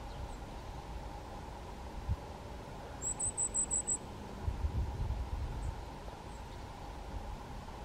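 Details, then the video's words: Goldcrest, Europe's smallest songbird: a brief series of six very high, thin, evenly spaced notes lasting about a second, set against a steady low hum and rumbling background. "Králíček obecný, Goldcrest, Wintergoldhähnchen, Goudhaan, Желтоголовый королёк, Mysikrólik"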